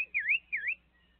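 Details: Sabiá thrush, visited by a small monkey, giving two clear whistled notes, each dipping down and rising back up, about half a second apart over a quiet background.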